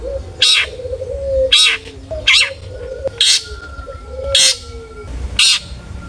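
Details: Long-tailed shrike, a lure recording to make other shrikes sing: loud grating calls spaced about a second apart, separated by quiet gaps and a faint humming background.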